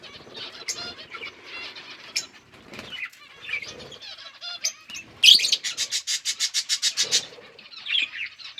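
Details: Budgerigars eating, October 29, 2023: scattered quiet chirps and warbles, then a loud burst of rapidly repeated clipped chattering notes, about eight per second, before quieter twittering returns.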